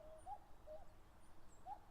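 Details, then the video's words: Wild common cuckoo defending territory on open grassland at the foot of Mount Fuji, Japan, in late May: a low two-note cuck-oo, the second note lower, then the start of another call. Faint high bird chirps behind. "カッコウ 鳴き声 縄張り争いに忙しい"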